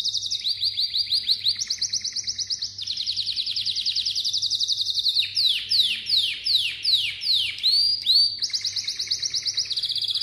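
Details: Malta canary singing: long, rapid, buzzy trills that jump between pitch levels, then a run of sharp down-slurred swoops about three per second, and a return to fast trilling. A faint low hum sits underneath.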